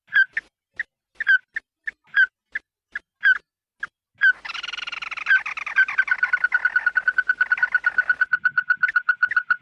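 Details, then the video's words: Red-eyed bird calling the flock, a lure recording. It opens with spaced, clipped nasal notes roughly every half second, then shifts to continuous scratchy chatter that settles into a rapid, steady run of short notes. "Tiếng Chim Mắt Đỏ Gọi Bầy – Kêu To"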